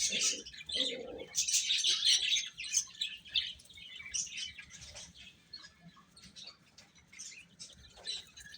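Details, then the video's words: Chicks feeding, chirping in a busy overlapping cluster of high shrill peeps. The calls are loud early on, then thin out and grow quieter toward the end. "Cute Chicks Chirping Sounds | Little Baby Chicken Eating"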